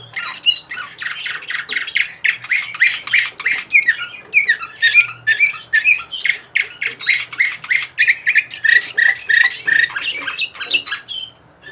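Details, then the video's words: Orpheus 2020 Bulgarian canary from Sofia delivers a long unbroken song. Fast rattling trills give way to clear whistled slides, with pulsed phrases repeating several times a second, recorded close and clean. "Bulgarian Canary Orpheus 2020"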